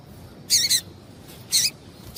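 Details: High, sharp double chip from a female double-collared seedeater, used to get males singing, followed a second later by a single clipped note against quiet background hiss.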